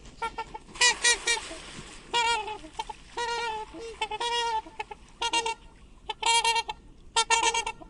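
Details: Swan giving loud trumpeting calls: nasal, harmonic honks in quick bursts of two to four notes, repeated irregularly through the recording, with a faint background hiss.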